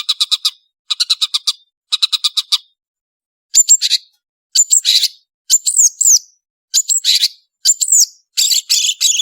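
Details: Cendet, or long-tailed shrike, in prolific song: three groups of rapid buzzy rattles, then repeated sharp downslurred whistles with chatter, in short phrases about every second.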